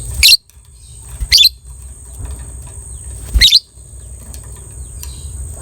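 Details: Lovebird of the colourful 'biola' kind, its call meant to spark breeding drive in listeners' birds; three short, harsh, shrill chirp bursts spaced one to two seconds apart, with a faint constant hum in between.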